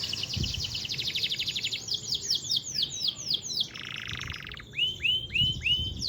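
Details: Canary singing a long original master song with no fill-ins: fast trilled rolls, a series of descending whistled sweeps, a buzzy rattling phrase, then slower looping whistles, with soft low thumps behind.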